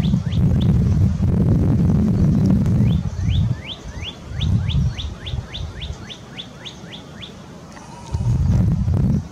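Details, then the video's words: Northern cardinal song from Sapsucker Woods, Ithaca, New York, USA, 20 February 2022: a rapid run of a dozen-plus sharp upslurred chip-like whistles, about four a second, between bursts of low rumbling noise. "Red cardinal's song (cardinale rosso in canto)"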